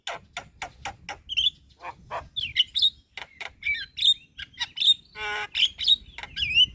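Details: Javan myna in busy chattering song for training other birds: rapid dry clicks, bright whistled slurs and a brief nasal rattle, tumbling together without pause.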